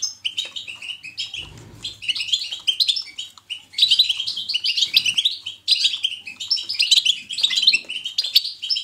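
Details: Natural European goldfinch batbata, meant as positive stimulation for pet goldfinches to sing. Rapid, high, sparkling twitters come in bursts with short gaps, with a low rumble and soft thuds around the second and fifth seconds.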